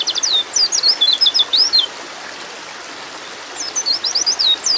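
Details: A breeding-mood female white-eye calls to a male with a quick string of high, thin, up-and-down slurred chirps, falls silent for over a second, then starts another rapid run.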